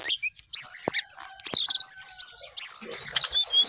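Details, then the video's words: Sooty-headed bulbul in full song: loud, bright whistled phrases that rise and then hold high, three main bursts about a second apart, each with quick chattering notes, plus a couple of soft thuds. "jongkangan gacor"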